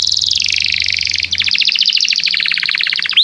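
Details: Canary in vigorous, excited song, played as a tutor so young canaries learn to sing: a high, rapid rolling trill that slides downward, then a fast run of sharp repeated notes ending in an upward flick.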